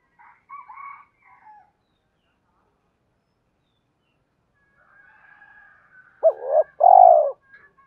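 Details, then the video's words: Spotted dove decoy calling to lure wild doves in 'hai hậu ròng' style: faint higher distant calls first, then after a quiet stretch a short coo and a long rolling coo. "Tiếng chim cu gáy mồi gáy gọi bổi hai hậu ròng"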